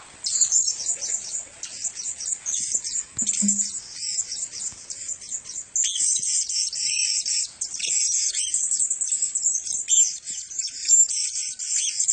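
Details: Several male blue-crowned hanging parrots kept together; dense high-pitched squeaky chatter and thin twittering notes, nearly continuous with brief pauses.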